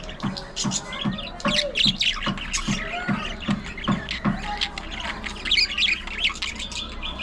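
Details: Pet budgerigars chattering while they play, squabble and groom: bright, scratchy chirps and warbles scattered through the upper range, over a steady low thumping pulse about every half second.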